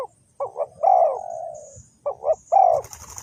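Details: Close spotted dove used for trapping wild birds, Ninh Thuận, uttering a doubled short coo then a long fading descending coo, the phrase beginning again, ending in a brief rustle.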